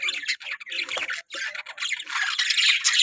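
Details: A budgerigar breeding colony gives a busy burst of overlapping squawky chirps and warbles, broken by short pauses near the one-second mark, then building into a steady, louder chatter.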